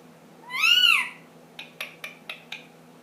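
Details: Pet ring-necked parakeet, ten months old, gives one long arched harmonic squawk, then a run of five short sharp clicks or taps, indoors.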